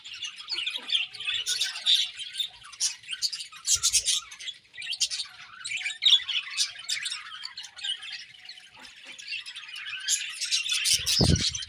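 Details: Pet budgies chirping in the morning, a long run of high twitters, squawky notes and warbles in waves of loudness, with a dull low thump near the end.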